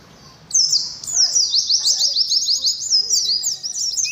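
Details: Oriental white-eye performing ngalas song in competition: after a quiet start, a loud outpouring of very high, rapid, jerky chirps continues without a break to the end.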